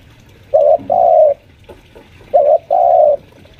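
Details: Caged spotted dove, a senior lure bird around five years old, calling at home while pressing against a rival: two low cooing phrases, each a brief note then a longer steady one, spaced about two seconds apart.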